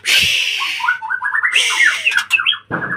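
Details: Caged white-rumped shama (murai batu) in a breeding cage, singing vigorously: loud harsh bursts alternate with a quick run of clear stepped whistles and sharp rising notes, all delivered energetically at close range.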